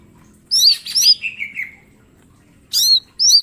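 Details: Green leafbird sings a burst of bright looped whistles trailing into a long falling slur, followed after a gap by two sharp high whistled notes; faint low background hum.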